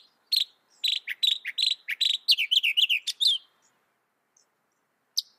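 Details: Mockingbird pouring out a rapid varied phrase: a string of buzzy repeated notes changing into fast slurred, rising-falling chirps over about three seconds, followed by silence and one lone sharp note.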